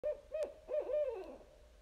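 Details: A barred owl hooting in the woods gives a quick run of four or five rich, even hoots, then a final drawn-out note that slurs downward. Little else is heard.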